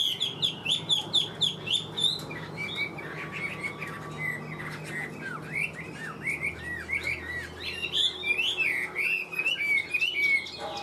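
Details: Caged Chinese hwamei, a large male kept as a songbird, singing a long run of varied whistled, warbling phrases that slide up and down, with quick notes repeated several times a second; music plays faintly underneath.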